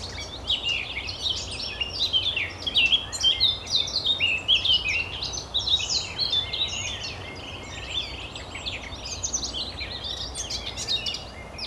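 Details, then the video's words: A Eurasian blackcap at the Oostplas in Goirle, Netherlands, 24 April 2012, sings a fast, rich warble of high, varied fluty and scratchy notes running on without pause over a low background rumble. "De zang van de Zwartkop"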